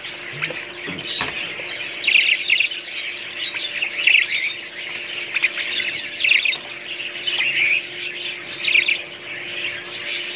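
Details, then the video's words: Several budgerigars warble and chirp in overlapping high chatter, louder bright bursts standing out about every two seconds over a low steady hum. "budgies parrots"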